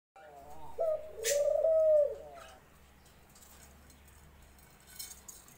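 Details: Dove (ghughu) calling: a single low, hollow cooing phrase of about two seconds that wavers slightly in pitch, with a faint hum in the background of an indoor space.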